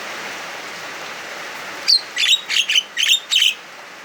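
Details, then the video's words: Javan myna singing agitated and loud in the afternoon during heavy rain: after a quiet start, a fast burst of six harsh, clipped, buzzy notes over a background hiss of rain. "jalak kebo anda pasti langsung emosi denger kicauan ini"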